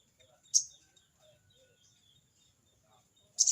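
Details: Crested jay calling toward a rival in its 'crecet cerecet' manner: one sharp rasping burst early and another at the end, separated by quiet faint chirps over a high steady drone.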